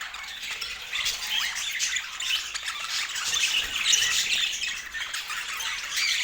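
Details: Budgerigars at mealtime in natural Scandinavian light give softer, rapid twittering chirps and warbles, rising and falling in loudness, several birds calling together.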